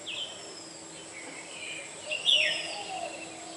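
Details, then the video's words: Black-hooded oriole calling: a few faint thin notes, then one louder harsh note sliding sharply downward about two-thirds through, followed by softer trailing sounds over a steady high background hiss. "Cute bird black yellow Oriole #original calling sound #বেনেবউ"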